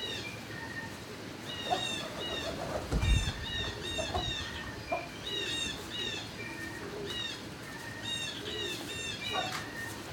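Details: Turkeys in a barn on 26 March 2019 near midday keep up a busy chorus of high, repeated squeaky calls and low notes, with a burst of wing flapping around three seconds and a constant low hum.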